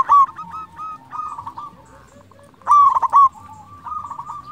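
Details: Local zebra dove singing in gacor form, used as a lure to stir rival doves into answering: two loud bursts of rolling, trilled coos, then softer sustained cooing phrases, with faint low background noise.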